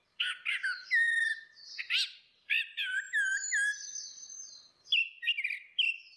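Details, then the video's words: Orange-headed thrush pair, female versus male, singing loud ngeplong phrases as a lure: varied rich warbles and rising slurs with harmonics, then repeated bright whistled notes. "SUARA ANIS MERAH BETINA VS ANIS MERAH JANTAN NGEPLONG"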